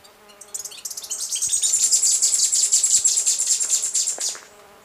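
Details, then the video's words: Western Hemispingus (Sphenopsis ochracea) sings a very high, thin series of rapid notes that quickens into a fast, even trill for about four seconds before stopping, over a faint low hum. "O canto do Hemispingus ocidental"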